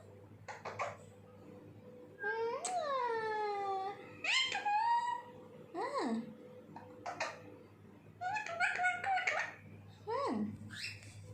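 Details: Talking parrot producing mimicked speech-like phrases and gliding, harmonic squawks that sweep up or down, in separate bursts over about eleven seconds, against a quiet indoor hum.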